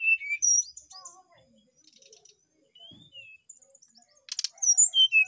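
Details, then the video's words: Brown-chested jungle flycatcher in full, active song: clear whistled notes slurring down in short phrases, a pause with faint soft twitters, then a burst of bright high whistles near the end. "sikatan rimba dada coklat gacor"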